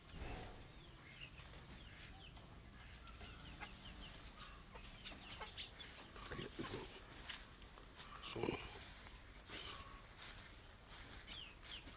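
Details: Plump chickens clucking: a few short, low clucks bunched between six and eight and a half seconds over steady background hiss, with faint high chirps from small birds scattered throughout.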